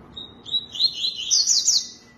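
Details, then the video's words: Tui-tui song phrase: a high thin whistle, then rapid rippling notes sweeping up and down, getting higher and brighter before stopping abruptly. "CANTO TUI TUI"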